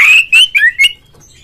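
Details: Oriental magpie-robin lure song for provoking a rival kept bird to sing and fan its tail: four loud, strident whistled notes in quick succession, each gliding slightly, then near silence.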